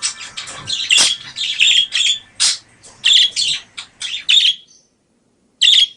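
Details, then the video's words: Budgerigar chatter used as a lure and as a training recording for other birds: quick bursts of high, scratchy chirps and warbles, each about half a second long, with a short pause before a final burst. "editan Pikat parkit"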